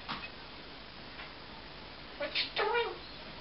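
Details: Pet male eclectus parrot talking indoors, said to have combined the words "Tickle & Kiss" by himself; a few faint clicks, then a short burst of speech-like, harmonic syllables near the end over quiet room hiss.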